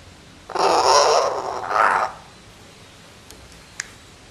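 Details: Common hill myna practising talking at 11 a.m. on 24 July 2015, a harsh, breathy, rasping utterance of about one and a half seconds ending in a brief second syllable, then a faint click.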